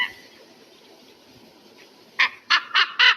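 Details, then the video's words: Eagle call: low background hiss, then four loud, coarse notes rising in a quick series at the end. "REAL SOUND OF EAGLE"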